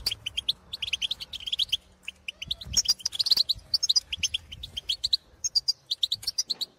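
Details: European goldfinches in the field calling to others of their species, with rapid twittering song and tinkling call notes, many short bright chirps in quick runs, some notes rising, with brief pauses between bursts.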